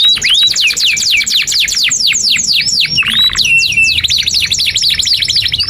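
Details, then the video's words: Long continuous canary song used to teach young birds: quick descending whistled sweeps, a brief low rattling passage, then more rapid high slurred notes. "SUARA 19a Kenari GACOR PANJANG INI Cocok untuk Masteran KENARI PAUD dan Kenari Macet"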